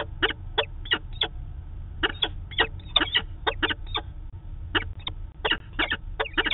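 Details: Peregrine falcons at Manchester, New Hampshire, during their daily meeting on 2 September 2018, on a live camera; hoarse, clipped chittering notes arrive in irregular groups with brief pauses, above a low rumbling background.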